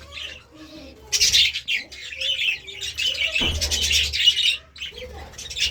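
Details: Budgerigars enjoying seeds and vegetables produce quiet warbles, then a loud burst of scratchy twittering and squeaky chirps, dropping away before resuming softly.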